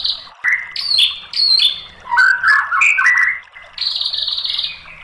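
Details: White-rumped shama singing on a provoking master track: clear stepped whistles, a lower rolling warble, then a long buzzy, high trill.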